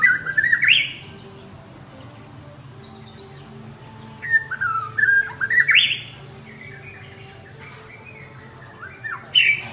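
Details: A male white-rumped shama calls his partner with three separated bursts of whistled notes, each rising sharply at the end, spaced by several seconds of quiet background.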